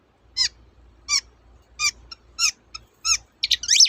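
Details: Long-tailed shrike song, locally cendet, used as a lure to prompt silent birds to sing. Spaced, bright, stacked chip notes come roughly every half second, ending in a dense burst of squeaky rising and falling chatter.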